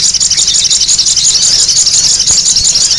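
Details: Busy lure recording of spiderhunter calls, with high-pitched, sharp chirps packed tightly and overlapping without a break, forming a constant shrill twittering.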